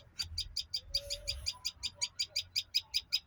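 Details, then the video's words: Bird chirping: short bright notes come in a quick regular beat, near three every second, with a faint low whistle heard once in the background. "bird chirping"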